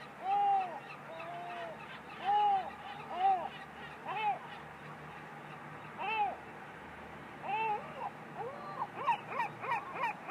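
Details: A gull on a roof gives loud, nasal, arching mewing calls at irregular intervals, ending in a quicker run of yelping notes, over a low steady hum.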